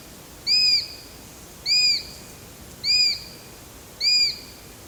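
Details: ['Eurasian sparrowhawk repeating a loud, high, arched whistle four times at a steady pace, about every 1.2 seconds, against faint background hiss.']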